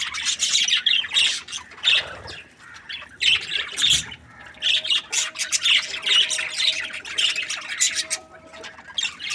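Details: A contented breeding pair of budgerigars trading rapid squawky chirps in uneven bursts, with short breaks near two and four seconds and a faint steady hum underneath in the second half.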